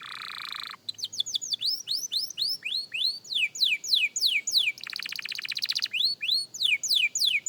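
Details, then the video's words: Beginner young canary practising: a harsh buzzy opening gives way to a steady series of downward and upward whistled slurs, a dense rattling trill in the middle, then more quick sweeping notes. "Young Canary Singing Practice – Surprisingly Good for a Beginner!"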